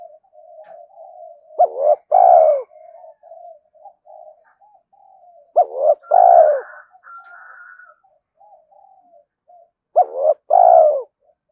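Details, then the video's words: Spotted dove cooing to stimulate other doves: three loud coo phrases about every four seconds. Each is two short rising notes and a longer, throaty, falling coo, over a soft low murmur of cooing with a faint steady tone in the background. "tiếng cu gáy kích bổi mỗi ngày/ cu gay kich boi nhanh noi"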